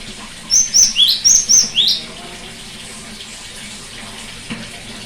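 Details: Cinereous tit, sung to draw out a bird that has gone quiet: one burst of six rapid high notes alternating high and lower rising tones, followed by several seconds of steady hiss like running water.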